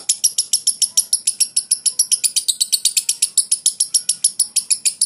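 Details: Lovebird giving ngekek, a 'konslet' style chattering song: a fast, unbroken run of high, harsh, clicking notes at about six per second, sustained throughout.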